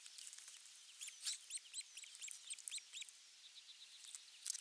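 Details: Osprey at a Finnish nest on 23 June 2020, morning, when a half-kilo crucian carp is brought as the morning fish: a run of high, thin chirps, about four a second, some louder and sharper, over a faint hiss.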